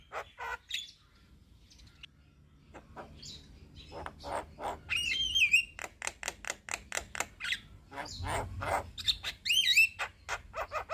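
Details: Javan myna singing: after a near-silent start, scattered clicks build into rattling series and sharp chirps, with a couple of bright looping whistles standing out; the song is quieter and more broken up.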